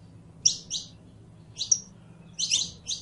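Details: Saffron finch (canario criollo) song: a few loud, harsh double chirps high in pitch separated by short pauses, about one every second, with faint low hum.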